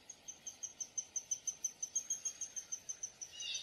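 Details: Quick, high, evenly spaced chips from a Downy woodpecker, about five per second, ending in a brief rustling noise.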